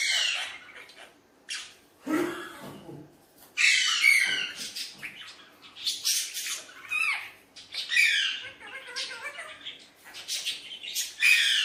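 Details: Tame talking Alexandrine parakeet, a pet, playing with a mirror; bursts of loud harsh squawks and scratchy chatter separated by pauses, one lower throaty sound near the start, over a quiet room.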